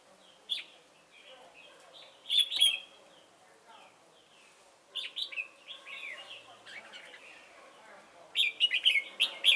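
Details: Decoy red-whiskered bulbul used for trapping, 28 November 2017: bright warbled phrases, then a fast run of repeated chirps near the end, with a man talking briefly beforehand.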